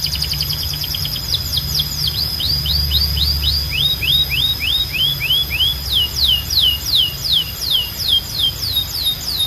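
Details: A canary sings against a background hum, giving sweet down-slurred whistles in slow rhythmic series, some notes dipping lower, the tempo steady at roughly two to three notes a second.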